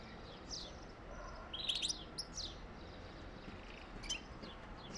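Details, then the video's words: European goldfinch song intended to prompt mating: quick high chirps and tinkling trills, with a louder buzzy twittering burst in the middle, irregularly spaced over a low hiss. "تغريد طائر حسون جميل للتحفيز على التزاوج"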